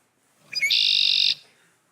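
A male Red-winged Blackbird gives a few quick clipped notes, then a harsh, buzzy trill held for just over half a second. Nothing else is heard.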